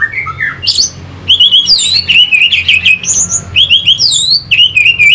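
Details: Loud orange-headed thrush song from Singaraja, Bali, intended to stir fighting birds: continuous strings of high swooping whistles, piercing chevron-shaped notes and buzzy trills repeated without pause.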